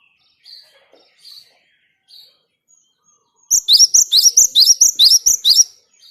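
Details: Java sparrow singing to stimulate other birds: a few faint, soft high notes, then a sudden burst of about ten loud, sharp chirps repeated rapidly at an even pace.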